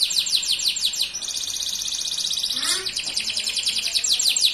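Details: Dark male canary in full song, passing from quick repeated descending notes into a sustained buzzy high roll, then back into rapid even trills; a faint lower sweep is heard briefly partway through.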